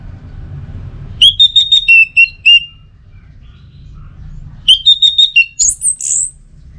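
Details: Orange-headed thrush (anis merah) singing lure phrases: clear whistled notes repeated quickly on two falling pitch steps, a pause, then the same run ending in a higher, longer drawn whistle.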